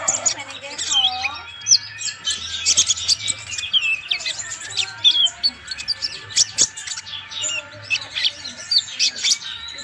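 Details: Vigorous song of a flaming sunbird, locally called kolibri ninja, kept as a training master: a continuous rapid jumble of very high thin chirps, squeaks and trills, with a low steady hum beneath.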